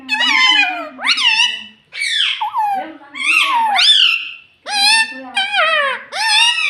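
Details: Pet talking parrot kept at home, taught to say words like mummy and papa; a run of six loud, nasal, voice-like phrases with sweeping harmonic tones, each about half a second to a second long, separated by short pauses.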